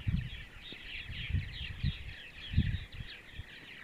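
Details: Purple martins calling on a sunny Sunday morning in central Ohio: a steady wash of creaky, gurgling chirps from several birds, broken by repeated low knocks and handling thuds.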